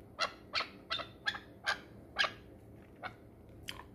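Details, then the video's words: Chukar partridge kept for hunting in the Pamir gives a run of harsh clucks, roughly two to three per second, strong at first and then thinning into a few fainter, spaced notes. "Кабки шикории Помир"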